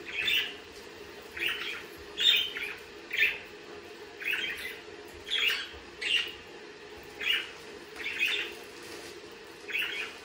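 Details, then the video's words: Budgerigar calls, short rasping chirps repeated roughly once a second, fairly even in loudness, some notes doubled, against a low steady hum. "Sonidos de periquitos Australianos"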